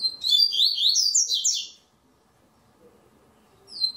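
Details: Double-collared seedeater in the third round of an online singing tournament delivering one long bright phrase of rapid rising and falling whistles for nearly two seconds, followed by silence and the start of another phrase.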